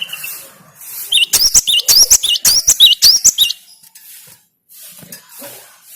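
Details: Cinereous tit (gelatik batu) song played to excite a kept bird: a fast burst of high, sharp two-note whistles, each a quick drop then rising hook, repeated nearly twice a second for about two seconds before falling quiet.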